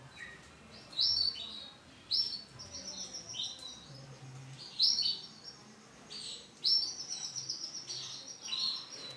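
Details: Male canary of the starblue colour, bursts of high, rapid chirping and trilled phrases separated by short pauses.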